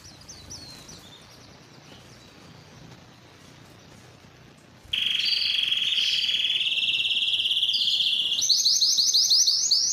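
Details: Spanish Timbrado canary: near silence at first, then a loud sustained metallic tone that holds steady before breaking into a fast, high, bell-like trill.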